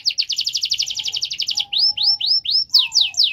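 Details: Canary in strong singing form, used as a prompt to get silent canaries to sing: rapid trilled roll of high notes, then a series of rising sweeping whistles and falling slurred notes, with a faint low hum beneath.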